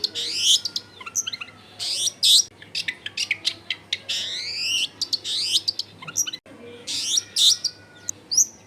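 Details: Long-tailed shrike singing as a lure for other shrikes, recorded at home in a crowded neighbourhood: loud harsh buzzy bursts alternating with rising whistled sweeps and clicks, with a low steady hum.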